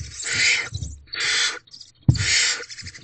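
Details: Barn owls inside a nest box at 4:56 am, 25 April 2023, during the female's delivery of a large rodent to her young: three long, harsh hissing screeches separated by short pauses, with a sharp knock in between.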